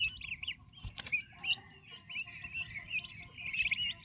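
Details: Turkey chicks beside their mother, described as healthy, active and fast-growing; a dense chorus of high, thin peeps with short rising and falling whistles, interrupted near the first second by brief broadband thumps and rustling.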